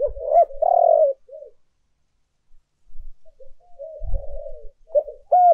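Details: Spotted dove giving urging and calling coos on a lure recording: a loud, long coo after quick notes, a quiet wavering stretch, then fresh clipped notes, with occasional low thumps.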